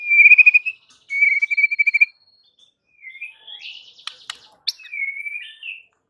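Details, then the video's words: White-rumped shama giving a provoking song meant to make rival birds instantly furious: clear sustained whistled notes, then a quavering pulsed phrase, sharp clicks and a final slurred whistle. "PANCINGAN Murai Batu yang bikin lawan Langsung NGAMUK & EMOSI TINGGI seketika"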